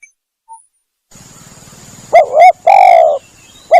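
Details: Spotted dove lure call for hunting from a hide. After about two seconds of faint low buzzing, two clipped rising notes run straight into a long harsh coo, and a further short note follows at the end.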